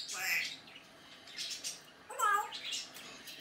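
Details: Pet African grey parrot recorded in May 2019 producing mimicked sounds: breathy speech-like noises, then a clear harmonic whistle that rises and wavers midway. There is faint room noise throughout.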